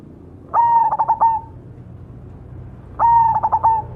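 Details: Zebra dove, black cemani type, cooing steadily. Two phrases, each a long level note running into a few quick staccato beats, with a quiet pause between and low background noise.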